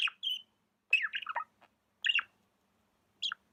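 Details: Tame budgie giving short bursts of warbling chirps, separated by pauses of about a second, each burst a quick cluster of bright, downward-sliding notes.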